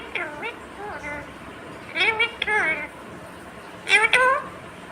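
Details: A talking pet rose-ringed (ringneck) parakeet mimics speech, saying "mummy papa" in a high, raspy, nasal voice in four short word bursts about a second apart, with faint room noise.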